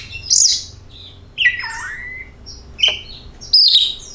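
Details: Lure song of an oriental magpie-robin, meant to make kacer birds sing: high chirps, then a drawn-out whistle that slides down and rises again, followed by sharp short notes. A faint low hum sits underneath.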